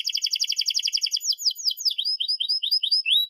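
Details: Canary in full song, used as a tutor for young canaries learning to sing: a rapid buzzy trill that breaks into a series of quick falling whistled slurs, all very high-pitched.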